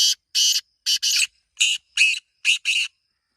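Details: Black francolin repeating rasping, broadband notes, eight in all and mostly in close pairs, giving a harsh, rhythmic, scratchy phrase.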